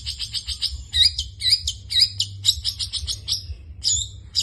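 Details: Long-tailed shrike in full 'isian' song. Opens with fast, thin chattering, then louder hooked chirps follow in quick succession before a short pause and a final burst.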